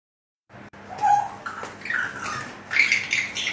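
An African grey parrot gives a short whistle, then several rising and falling whistled notes, ending in harsh, raspy squawks over a faint electrical hum.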